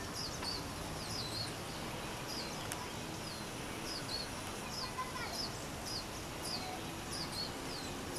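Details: Lesser goldfinch recorded 4 June 2020 in Manizales, Colombia, giving a thin, high twittering song of quick, bright chips and slurred notes over constant hiss.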